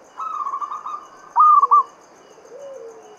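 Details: Local Javanese zebra dove in Mataram standard rhythm, a lure to get other doves singing. A soft rolling trill is followed by a sharp, loud three-part coo, then a faint lower sliding note.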